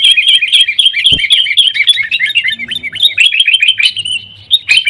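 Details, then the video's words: Energetic sooty-headed bulbul song played to encourage caged birds to sing: dense, rapid chatter of sharp, bubbling notes running nonstop, with one short thud partway through. "kutilang gacor TARUNG buat pancingan kutilang agar bunyi jadikan burung kutilang gacor"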